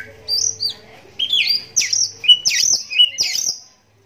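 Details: Oriental magpie-robin, a caged bird blind in one eye, singing so that other magpie-robins answer; clear loud whistled phrases, each a high slurred note dropping then rising, repeated about six times in four seconds.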